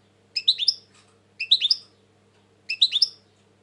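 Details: Three similar clipped phrases from a European goldfinch, each a quick cluster of tinkling, slurred high notes lasting under half a second, separated by pauses of about a second.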